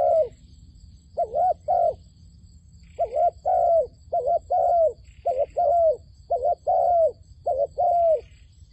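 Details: Decoy dove calling in a trapping setup meant to lure wild doves. After a pause come clusters of low, wavering coos in short-long pairs, with faint higher chirps now and then in the background.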